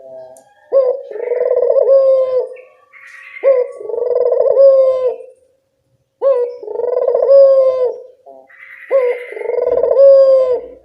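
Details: Lure call of a local puter dove meant to make other doves reply: four drawn-out, vibrating coos, each roughly two seconds long, separated by short silent gaps, with a clean background.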